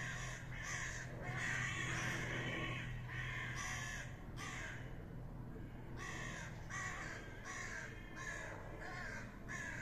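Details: Fighting common ravens call in quick, choppy bursts of hoarse croaks, several per second, with a brief lull near the middle and a low rumble underneath.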